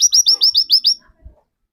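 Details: White-eye used as a lure to set off another bird's singing gives seven quick, bright downslurred chirps within a second, followed by silence and a faint knock.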